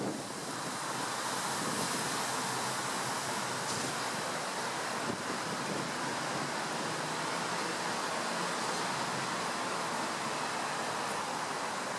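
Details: Steady roar of wind and surf fills the whole recording, with no animal voices standing out.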